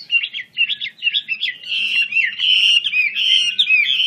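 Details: Wambi Kembang Chinese hwamei singing strongly, wings open: choppy warbled notes at first merging into a sustained, continuous ribbon of rich whistled song.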